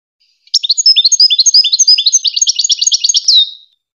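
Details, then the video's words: Singing goldfinch on a tutoring recording for hybrid chicks: a three-second stream of high, tinkling, mixed chirps and trills, quickening into evenly repeated notes before a final drawn-out slurred note. "The best singing to teach hybrid chicks and goldfinch"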